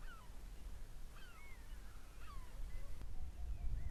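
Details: Wintering male osprey at Urdaibai calling on detecting the arrival of a ringed female, caught on a live stream: faint whistled, slurred notes, some falling and some rising, scattered over a strong low rumble.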